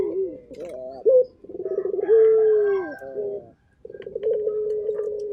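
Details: Local Barbary dove calling actively: rough, rolling coos, one long drawn-out note gently falling, then a brief pause and another steady purring coo, with a faint background hum.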